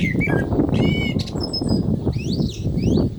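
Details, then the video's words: Common blackbird song during the call to prayer: low fluted notes, a buzzy stacked phrase, then high squeaky twittering with sliding notes, all over a dense, loud low-frequency rumble. "Lovely Black Bird Voice صوت المسوود مع الاذان - طائر المسود مع الاذان"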